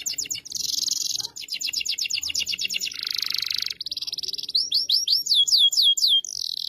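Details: Gacor canary singing to tutor a young canary: dense buzzing rolls, a harsh rasping burst mid-phrase, then clear downward-sweeping whistles repeated about four per second to the end.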